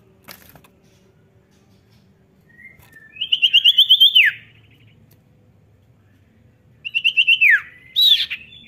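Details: Common iora (cipow) singing: after a quiet start, a fast trill of bright whistled notes sliding down at the end, then a second similar trill and a short sharp rising note.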